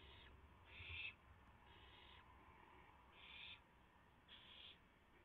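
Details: Owls at a nest at 3:38 AM on April 7, 2016, as a rabbit is delivered and the birds take turns eating; harsh, hissing screeches, each about half a second, come in uneven bursts over quiet background noise.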